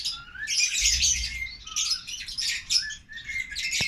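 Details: Shrill squeaky chatter from tame African lovebird siblings in an aviary cage: clustered harsh high notes alternating with short slurred whistles, ending in a sharp click.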